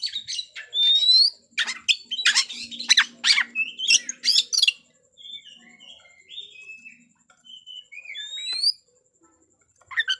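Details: White-rumped shama song played to stir rival birds to fight: a busy opening of rapid chirps and harsh notes, then softer scattered whistles and rising sweeps, ending quietly after a brief pause.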